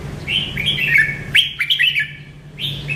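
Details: Merbah Lekir bulbul singing melodiously: quick runs of clear, warbled whistles that slide up and down, given in three close phrases over a low background hum.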